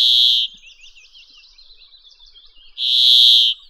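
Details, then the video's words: A Brambling (Fringilla montifringilla) gives two drawn-out, nasal, buzzing wheezes about two and a half seconds apart, with faint twittering between them. "Audio del Pinzón Real"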